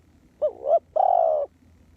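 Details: Decoy spotted dove calling on the ground to attract wild doves, giving a brief bent coo followed by a drawn-out, even, faintly trembling coo, with no other voices.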